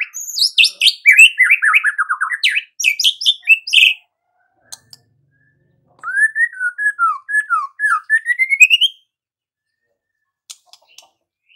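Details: A white-rumped shama sings a lively 'gacor' song intended to stir other shamas: a dense burst of varied whistles and trills, a pause, then a flowing phrase of rising and falling whistled notes climbing at the end.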